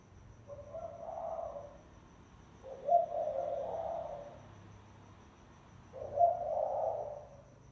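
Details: Spotted dove calling as a lure: mellow, low cooing phrases, each a short accented start sliding into a drawn-out breathy coo, three phrases about three seconds apart.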